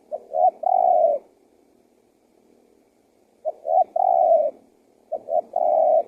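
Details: Spotted dove cooing to lure wild doves into calling: three phrases of two short soft notes followed by a prolonged mellow coo, the first two separated by a long pause, the last following more closely and cut short.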